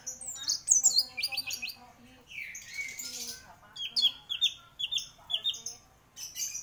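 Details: Orange-headed thrush, a champion singer in vigorous song, gives fast high chirps and buzzy descending notes, a rasping burst, then evenly spaced bright whistles, with a faint low murmur in the background.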